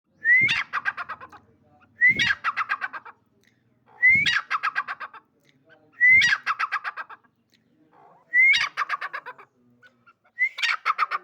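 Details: Female grey francolin (dakhni teetar) calling: each phrase opens with a short rising whistle, then a rapid run of harsh, pulsed notes, repeated about every two seconds for six phrases.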